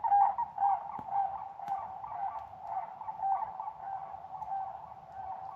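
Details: Several Sandhill cranes flying around outside a cabin give a steady overlapping chorus of rolling, trumpeting rattles; owner wonders if it is a mating call.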